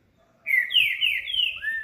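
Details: A caged Green-winged Saltator (trinca-ferro), still moulting and sunbathing, sings for the first time in almost a month on 30 March 2021: a loud, rich phrase of four quick whistled notes, each slurring downward, over a faint hum.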